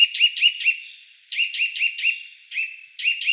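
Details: Eurasian nuthatch calling in short runs of three to four quick, hooked, rising notes, with brief gaps between the runs.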